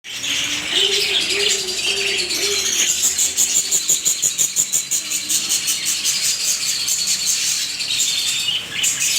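A flock of budgerigars chattering together in a dense, continuous wash of high warbles, chirps and rattling buzzes, with some wing flutter.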